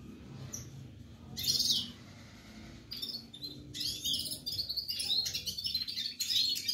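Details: Red-fronted serin giving an isolated high buzzy phrase, then after a pause a longer run of quick, tinkling twittered notes, with quiet low background noise.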